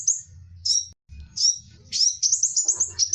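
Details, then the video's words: Sunbird song for tutoring other birds: very high, thin twittering notes in short bursts, ending in a fast run of sharp chirps, with a low background hum. "SUARA BURUNG KECIL, kolibri wulung"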